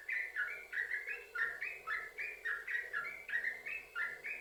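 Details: Continuous rapid yellow-vented bulbul song in the sambung ropel style, meant to lure other bulbuls into singing: steady chain of bright, liquid paired chirps, each swooping between notes, about three each second.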